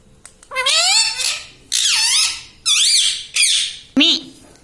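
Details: A pet parrot that talks, saying words such as mummy and papa, makes a string of loud, harsh, raspy syllables that rise and dip. One lower, curving sound comes at the end.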